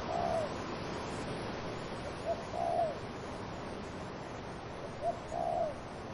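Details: Dove cooing among wind in trees: a short clipped note, then a soft, low, slightly arched coo, with the pair repeated about every three seconds over steady rushing wind.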